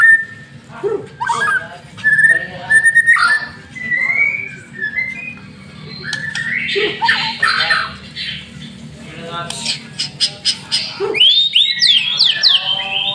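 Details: Caged white-rumped shama, a master songbird, in full lure song: loud varied whistles, squawks and rapid trills mixing low notes with high sweeping phrases, bursts of harsh chatter, steady low hum beneath.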